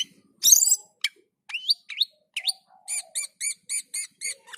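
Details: Cucak keling (black-and-white bulbul) in full song: a harsh burst, sharp upward-flicked whistles, then a row of six evenly spaced buzzy chirps about every third of a second.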